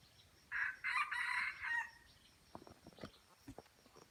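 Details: Red junglefowl crowing in Aceh, Indonesia, during a crowing contest with a decoy bird: a loud harsh crow in several segmented bursts lasting over a second, followed by softer short clucking notes against a background of insect hum.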